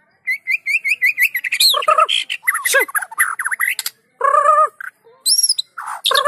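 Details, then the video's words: Eager White-rumped shama in strong voice, used as bait to make idle shamas sing: a quick series of about ten identical whistled notes, then harsh buzzy calls, croaking slurs and mixed chatter. "PANCINGAN MURAI BATU GACOR!! Murau Batu Malas Akan segera ikut Gacor"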